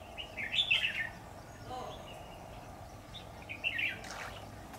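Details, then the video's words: Red-whiskered bulbul challenging a decoy bird during a trapping session on 10 September 2019; two short, bright, warbled phrases about three seconds apart over steady low background noise. "Bẫy chào mào Bộ to dọa mồi liên tục"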